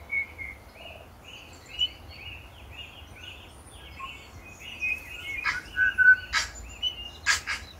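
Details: Winter tui feeding on banksia and flame tree flowers on Owairaka; a rapid string of short, evenly repeated whistled notes, then louder whistles mixed with sharp broadband clicks near the end.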